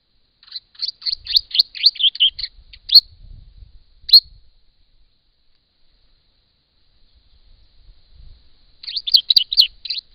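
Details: Rufous Songlark singing in breeding time, a male or female visiting: bursts of rapid, high, scratchy and jumbled notes lasting a couple of seconds, a gap with single sharp notes, then another hurried phrase.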